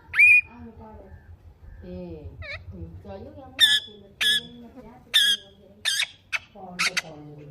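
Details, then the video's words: Ringneck parrots in green, blue and kiwi colors, with high sharp whistled notes repeated about every second, mixed with softer lower chattering and talking-like murmurs in the background. "Ringneck parrot Natural talking sounds"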